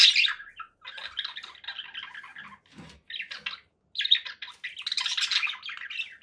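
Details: Conure parakeet squawking loudly, then a sustained scratchy chattering phrase, a short pause, and a louder burst of harsh calls.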